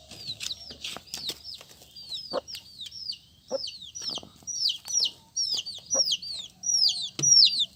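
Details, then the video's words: Colourful chicks keep up rapid, high descending peeps that grow louder toward the end, with scattered clicks and knocks among them. "Suara Anak Ayam"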